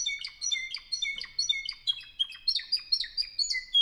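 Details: A 2015 Spanish Timbrado canary from Albacete, Spain, pours out bright repeated notes with crisp downward chips, accented pulses arriving several times a second in a rolling rhythm.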